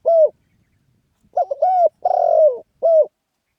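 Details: Spotted dove crowing in the lively 'khan yon' style. A lone hollow coo comes first, then a pause, then a full phrase: a quick double note, a coo, a long rough falling note and a closing short coo.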